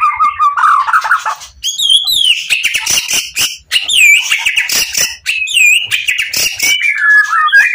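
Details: White-rumped shama in full emotion, singing to provoke other shamas: a loud dense warble of looping whistles and sharp upslurred notes over scratchy chatter, almost without pause.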